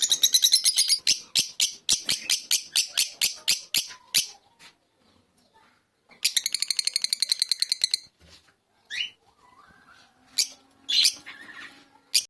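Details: Fischer's lovebird delivering long, rapid runs of high, sharp chirps, a quiet stretch, another quick chattering burst, then scattered squeaky notes and a rising whistle with faint background sounds.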